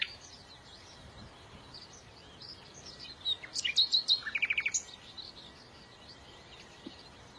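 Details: Short bird song phrase: a cluster of high whistled and chirping notes followed by a quick string of about eight rapid, evenly spaced chips, amid quiet background hiss.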